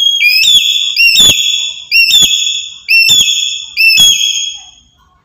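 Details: Black-capped lory, described as very active every day and used as a master recording to lure birds for trapping. Loud, shrill whistled calls with a quick upward slide, repeated about once a second, five in a row, with rough harmonics.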